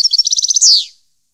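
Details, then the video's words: European goldfinch singing, 2015 recording: a quick string of about a dozen high, evenly spaced tinkling notes ending in a loud buzzy note that slides downward. "Goldfinch song 2015/ Canto Jilguero Parva 2015"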